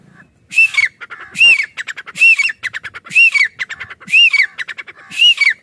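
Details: Grey francolin (teetar) in a natural village setting, calling steadily: six loud, rasping phrases about a second apart, each with a bright arched whistle on top and quick stuttering clicks between them.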